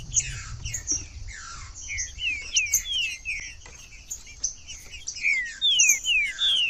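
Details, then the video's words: ['Song of a green-winged saltator meant to encourage a reluctant, cold bird to sing. Scattered whistles and twittering give way to a series of loud, clear descending whistled notes in the final seconds.'] "TRINCA-FERRO CANTANDO FRIO"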